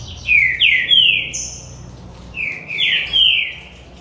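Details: Rufous-bellied thrush, one of a trio in a singing contest, delivering loud descending slurred whistles in paired phrases, each sliding down steeply, with a thin high whistle between phrase groups; faint low hum beneath.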